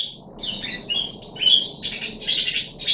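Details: Puff-backed bulbul kept in a cage, recorded 14 July 2021 on its third day of deworming: a rapid jumble of sweet, warbled high notes that rise and fall, building into denser scratchy bursts toward the end, with faint background noise.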